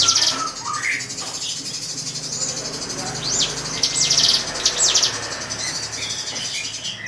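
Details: Drongo song to bait a rival bird: a few soft whistles, then three high swept chirps trailing into buzzy trills, against a fairly loud hissing background.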